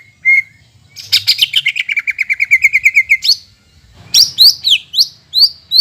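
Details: Greater green leafbird song used as a lure to stimulate birds after moulting: a brief whistle, then a fast, even run of bright repeated chirps, a short pause, and high, sharply sweeping whistled notes.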